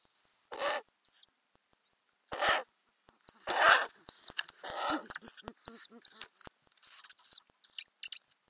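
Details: Inside a Ural owl nest box where owlets are growing, recorded in May 2020: a run of harsh breathy hisses and rasps of varying length, some drawn out, others clipped and close together, with faint high squeaks.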